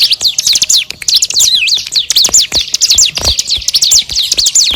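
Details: Bar-winged prinia song used to train magpie-robins: zigzagging, looping high notes delivered in a continuous, rapid, chattering series, with scattered clicks.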